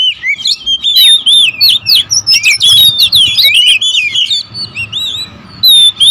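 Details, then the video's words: Territorial oriental magpie-robins heard singing together in a noisy bout; fast strings of sweet whistled slurs and chirps, thinning to sparser notes and a brief lull before a final loud phrase. "KACER RIBUT, memancing serta menaikkan emosi kacer agar cepat gacor"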